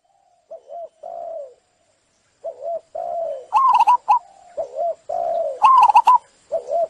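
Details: Zebra dove cooing, played as a lure to restore song in stressed, silent captive doves: short, soft, mellow notes in quick uneven bursts, some rising into higher rolling trills, with faint clicks between phrases.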